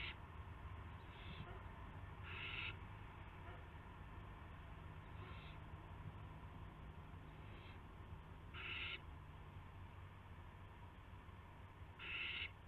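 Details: Owls at 8 PM on March 18, 2016, one bringing a gopher to the other; scattered raspy screeches, a few strong and several faint, separated by quiet gaps of two to three seconds, over low rumble.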